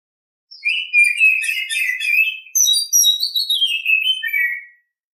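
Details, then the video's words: Oriental Magpie-Robin singing in the morning: a rich run of warbled, whistled phrases sliding between high sweeps and lower chattering notes, loud and continuous for about four seconds, with no other sounds. "Nghe chim chích chòe than hót hay mỗi sáng"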